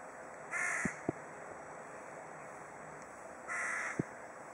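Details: Crow in Kaliningrad cawing at a companion crow: two harsh, raspy caws about three seconds apart, with a few sharp clicks between them against a steady background hiss.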